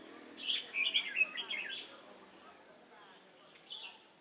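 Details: Decoy red-whiskered bulbul at a trapping site at Chùa Hương, 28 November 2017: a quick burst of clear, rising and falling whistled notes in the first two seconds, then quiet, with one short phrase near the end.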